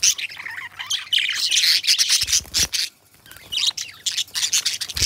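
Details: A pair of companion pet budgerigars pour out continuous rasping, buzzy chatter with high squeaks and chirps, broken by a short silence midway, then resume in quick stuttering bursts; a few low knocks occur.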